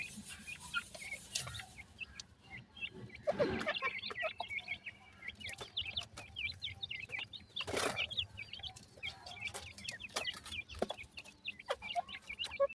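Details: Feeding grey francolin chicks peep with sparse high chirps at first. A brief burst of wing flapping or rustling follows, then a dense run of rapid, overlapping twittering peeps.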